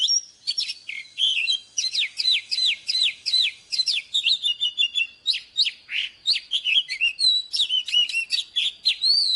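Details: Oriental magpie-robin, an old wild bird, singing in the morning. Used for training caged birds. A dense, unbroken run of sharp whistled notes and rapid slurred chirps, high and bright, repeated several times a second with no pauses.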